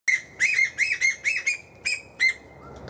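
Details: Female koel giving high-pitched shrieks in a tree where lorikeets feed and a magpie-lark is nearby: about eight harsh, rising notes in quick succession, each one loud and grating.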